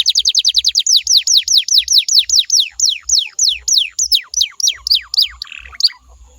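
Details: Canary song to get other canaries to sing along: a fast run of falling whistles that gradually slows into longer, wider downward sweeps, with quiet low thumps beneath.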